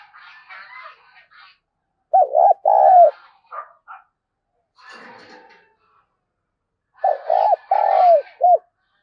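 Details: Luring spotted dove: loud, deep, quavering coo phrases repeated twice, with fainter rasping chatter and soft notes between them.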